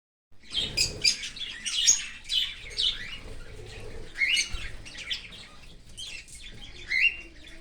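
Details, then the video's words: Australian cockatiel parent feeding its chick from outside the nest in an open aviary; harsh, raspy bursts come in quick irregular runs, some sharper chirps mixed in, with a faint low rumble underneath. "Australian cocaktail Parrot feeding baby from outside of nest in open aviary."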